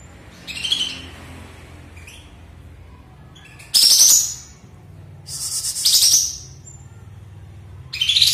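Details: Sooty-headed bulbul just after moulting, singing again with fanned tail after a silent spell, in bright, scratchy bursts of high chattering notes, each about half a second to a second long and a second or two apart.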